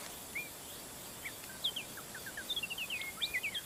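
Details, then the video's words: Magpie-robin in the wild in a forest, giving short whistled notes and rapid paired chirps, some sweeping upward and some downward, in quick sequences. Soft background hiss. "Masteran suara burung murai asli di hutan"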